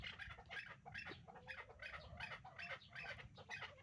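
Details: A breeding pair of caged hybrid partridges calls in a rapid series of loud, grating chuk-like notes, more than two per second, forming a steady, insistent chatter throughout.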